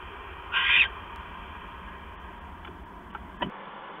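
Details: Owl recorded on 6 September 2015 at night as the male hands a mouse to the female; one harsh screech of about a third of a second, followed by several faint clicks and a soft knock.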